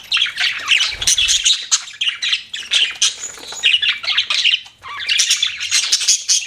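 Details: Budgies kept as pets chirp and squawk in lively bursts of buzzy warbling chatter, pausing briefly between phrases, with a faint thump or flutter early on.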